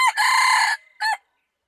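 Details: Closing part of a red junglefowl crow, 24 February 2019. A long harsh held note is followed by a short separate final syllable, with silence after it.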